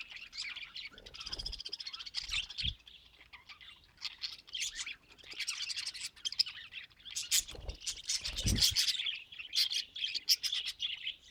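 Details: Happy budgerigars singing: a dense, continuous high chatter of chirps, clicks and squeaky warbles with occasional low thumps.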